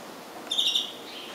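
A blue-faced parrotfinch gives a single thin, very high, slightly buzzy phrase lasting about a third of a second, over a soft background hiss.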